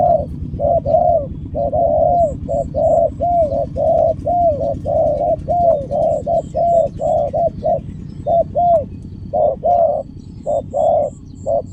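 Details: Long series of spotted dove coos in quick pairs, the short note followed by a longer descending one, kept up for nearly twelve seconds. Faint high chirps repeat in the distance over a low hum.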